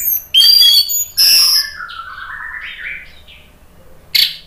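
An orange-headed thrush sings loud, varied phrases: bright high whistles mixed with harsh notes, then a softer, lower warbling run before another sharp burst.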